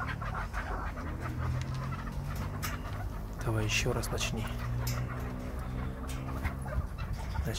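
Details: Chukar partridge in Krasnoyarsk, coaxed by its owner to call; bursts of gobbling, throaty clucks rising in a quick rattling run midway, then scattered softer notes, with a low indoor hum and a man's voice nearby.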